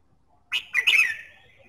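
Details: Red-whiskered bulbul song played to stimulate other birds to sing: one brief, bright warbled phrase of three quick, slurred whistled notes with a trailing note, on a quiet background.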